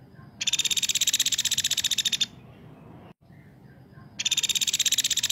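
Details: Woodpecker calling actively, recorded as a tutor for magpie-robins; two loud, harsh, rapid rattling bursts of about two seconds each, separated by a quiet pause.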